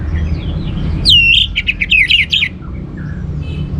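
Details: Orange-headed thrush singing, used as a teaser to make other birds sing. It gives one loud burst of quick, varied whistled notes, a high slurred swoop followed by choppy warbled trills, over low background hum.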